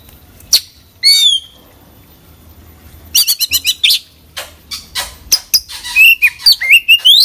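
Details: Oriental magpie-robin delivering a varied song full of fill-ins: a lone sharp note, a slurred down-sweeping whistle, rapid trilled chips, then a string of bright bending whistles climbing toward the end.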